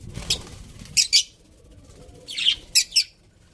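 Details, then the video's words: Pet budgies chirping in short scratchy doublets, bright high-pitched clicks and squeaks in two clusters separated by a second of near quiet. "Cute Budgies Chirping Sounds"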